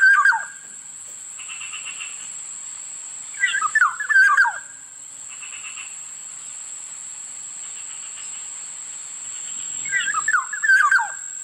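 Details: Black-naped oriole repeating fluty, tumbling whistled phrases three times, roughly every three to four seconds, with soft buzzy background noise and a steady high electronic tone between phrases.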